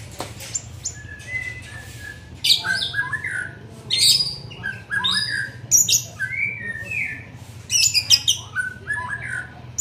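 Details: White-rumped shama, a young bird being trained, giving scattered sharp chips and bright whistled phrases with quick up-and-down slurs, separated by brief silences, over a constant low background hum.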